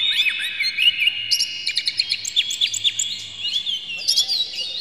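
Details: Oriental magpie-robin in an agitated, tail-spread song, used as a lure to set other magpie-robins singing; dense whistled phrases with quick downward slurs and rapid clicking chirps, one after another.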